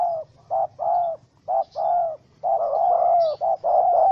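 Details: Wild spotted dove, angry at being caught in a small rope trap, 04/07/2017: low, soft coos in short-long pairs that run together into a longer, wavering cooing phrase, with faint chirps in the background.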